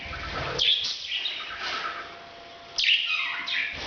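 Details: Parrot making its breeding sound: two loud bursts of raspy, screechy squawks separated by a quieter stretch of soft chatter.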